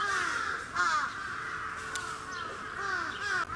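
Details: Sarus crane at Gunma Safari Park, Japan, 10 November 2018, giving loud, rich, harsh trumpeting calls almost without pause, with slight rises and falls, over a faint hum and background bird noise.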